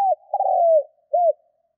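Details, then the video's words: Captive decoy spotted dove, trained to coo in the 'Thúc' style to stir wild doves; a long, steady, gently falling coo ending in a short separate arched note, with no other sounds. "Chim cu gáy mồi Thúc - Gù hay kích bổi"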